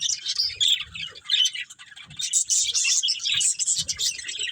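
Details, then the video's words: Budgerigars eating green food, giving a dense, continuous chatter of high, scratchy chirps and warbles in quick overlapping bursts, with faint low knocks and rustles underneath. "Beautiful Budgies Enjoying Eating Green Food | Love Birds Chirping Sounds"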